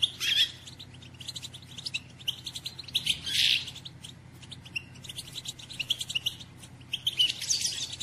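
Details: Female European goldfinch calling to stimulate a male to sing and get excited: bursts of high, sharp twittering chirps, some in dense clusters, recurring every second or two over a faint low hum.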